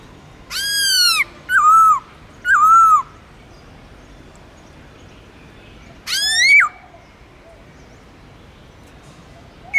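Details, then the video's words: Black-throated laughingthrush (Garrulax chinensis) song: four loud, rich, ringing phrases, each a slurred note dipping then rising, three in quick succession and one after a pause. "Khướu Bạc Má Hót Giọng Rừng"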